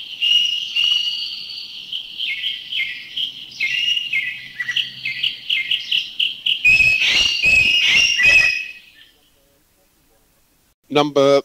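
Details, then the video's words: Green magpie in Thailand: a run of rapid high whistled notes, quickly repeated, builds into several loud, harsh, grating bursts. Silence follows, then a man's voice. A greater necklaced laughingthrush sounds in the background. "thrush. The green magpie is the one with the strident call. Number"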